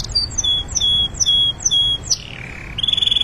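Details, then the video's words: Canary performing a training song, a steady run of loud downslurred whistled notes about every quarter second, a long falling slide, then a rapid pulsed trill beginning. "Canary singing - Training song 2025"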